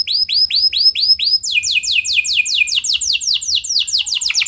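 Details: Canary in lively luxurious song, used to set other canaries singing at length: evenly spaced arched whistles, then a rapid tumbling series of sharp downward slurs repeated over two seconds at high pitch.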